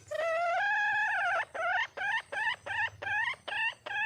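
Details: Female red junglefowl, a wild hen, calling for a male. One long, nasal, harmonic note opens the call, followed by about seven short clucking notes, roughly two per second, with a steady rhythm.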